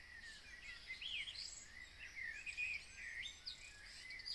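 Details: Birdsong at 03:30 on a June morning outside Copenhagen, Denmark: several distant birds warbling and whistling in overlapping phrases over a steady low hiss.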